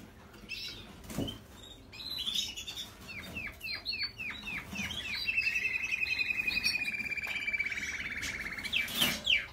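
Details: Yorkshire canary singing: a run of short descending chirped notes, then a long, fast, even trill held steady for about three seconds, ending in a few sharp louder notes, with faint background noise.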